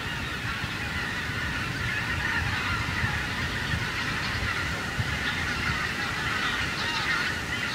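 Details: Over a harvested cornfield, a flock of wild geese keeps up a dense, even honking chorus, scattered louder calls standing out against continuous low-frequency noise.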